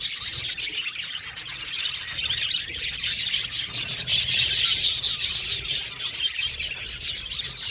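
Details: A colony of budgerigars in an aviary keeps up an unbroken, bright twittering, with many short chirps repeated in quick succession and a gentle rise in loudness mid-way.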